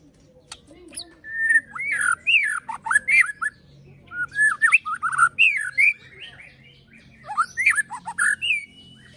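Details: Pastol fighter song from a white-rumped shama (murai batu), meant to provoke other shamas: three bursts of fast looping whistles and sharp slurred notes separated by brief pauses.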